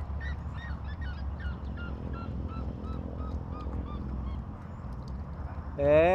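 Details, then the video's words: A distant red-legged seriema sings on a rural smallholding, a rapid series of yelping notes, about three per second, slowly dropping in pitch, over a low rumble; a man's voice cuts in at the end. "A Seriema cantando"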